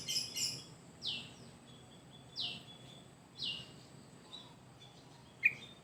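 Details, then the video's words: Caged Sooty-headed Bulbul from Indonesia in full, energetic song, used to spur and tutor other birds: a few high chirps, then three loud descending whistled sweeps about a second apart, over a low steady hum. "Burung Trucuk Gacor"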